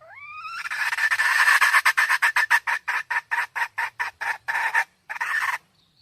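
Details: Red junglefowl hen: a short rising squeal opens into a rapid run of about sixteen harsh, raspy clucks that gradually space out and end in a longer rasp, with a faint high bird note afterwards.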